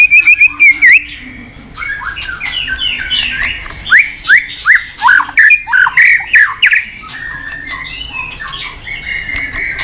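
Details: White-rumped shama (murai batu) kept in a cage, singing as a training lure for other shamas: trilled whistles, then a run of loud sharp chirps repeated rapidly, mixed with buzzy squawks.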